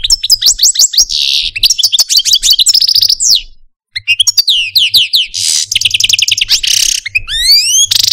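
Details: Caged Algerian Parva goldfinch, a pet male, singing a complex song of fast trills, rapid upward and downward sweeps and buzzy bursts, with a brief pause near the middle before the phrases resume.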